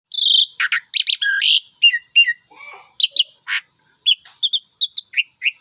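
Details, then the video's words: Male Asian pied starling in a fighting mood, singing a varied sequence of loud whistles, harsh chattering notes and short clicks, with brief gaps between phrases. "Burung jalak uren jantan gacor narung"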